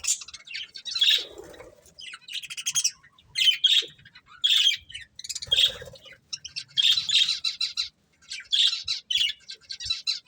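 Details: Budgerigars of a breeding pair chirping and squawking: repeated bursts of harsh, buzzy, high chatter about every second, with occasional lower notes and short gaps.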